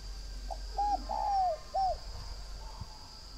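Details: Spotted dove, a northern Vietnamese bird kept at a dove-breeding garden in Ba Vì, Hanoi, valued for its fine cooing. It gives a mid-pitched phrase of a short note, a long gently falling coo and a short closing coo, over a steady high insect whine.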